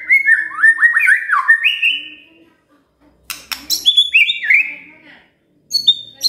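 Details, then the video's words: Magpie-robin song used as a lure for a quiet bird: a rich warbled phrase of swooping whistles, a pause, sharp clicks, more slurred whistles, then a final high thin note. "Pancingan Murai DIAM Agar Rajin Bunyi"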